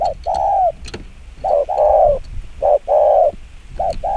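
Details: Spotted dove in the quick 'chiêu gù kích bổi' cooing style, repeating a clipped note and a full, slightly falling coo about every 1.2 seconds, with scattered clicks behind.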